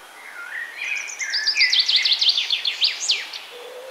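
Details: Wild birds chirping in a forest, a bright high song of rapid descending buzzy notes repeated about three times a second, with softer twittering from other birds behind it.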